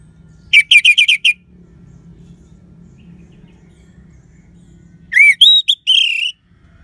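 Orange-headed Thrush giving clear, high whistled song phrases: a quick burst of five bright notes, a pause, then a few rising, slurred whistles.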